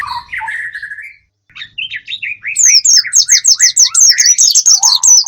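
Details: Bird sound used as a lure to draw in wild birds. It opens with lower whistled slurs, pauses, then becomes a rapid, loud run of sharp chirps and high, swept squeaky notes at roughly two per second.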